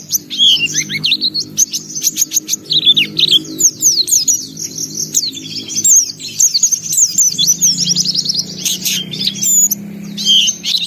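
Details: Lively white-eye song in gacor style, bongkar isian: long, unbroken sequences of high twitters, quick trills and sharp chips, steady throughout, with a faint low hum behind.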